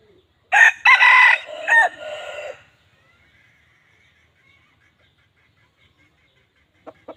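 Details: Red junglefowl crowing: one loud, harsh, broken crow of about two seconds with rough stacked harmonics, then near silence with faint high tones and two short clicks at the end.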